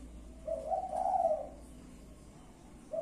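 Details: Spotted dove, a kept bird, giving a single soft, low, hollow cooing phrase lasting about a second, with the start of another coo at the end; quiet room background.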